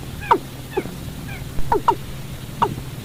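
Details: Watercock call for night trapping of birds: irregular cluster of short, plunging notes, two of them close together, with fainter higher slurred notes between, over low rumbling hum.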